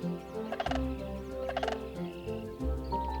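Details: A sandhill crane calling in a marsh in Southern Alberta's wetlands during the breeding season gives two rolling, rattled bugling calls about a second apart, with soft music underneath.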